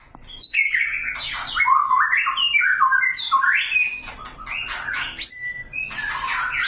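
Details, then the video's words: Male magpie-robin calling a female to mate: a rich run of varied whistled and slurred notes, rising and falling, with sharp squeaky phrases and brief pauses, delivered in a rapid, irregular stream. "Murai jantan lagi memanggil betina mengajak kawin"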